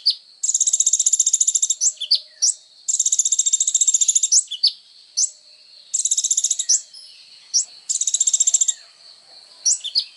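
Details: Lively sunbird (kolibri ninja) singing, used as songbird training material: long fast high-pitched buzzing trills alternate with brief sharp upward-swept notes, about four bursts in ten seconds.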